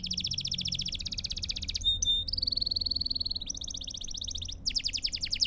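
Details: Belgian canary song for training young canaries: a chain of very rapid trilled rolls at changing pitch, one smooth sustained whistled tour in the middle, then a fast rattling trill.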